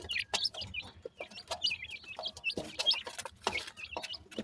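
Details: Young grey francolins cheep: clear, high, sharply bent chirps, often in pairs or short runs, with scattered soft clicks and taps between them.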